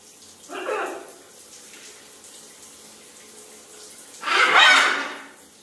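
Two harsh, raspy scarlet macaw squawks: a short one, then a longer, louder screech about three seconds later, over faint background hiss.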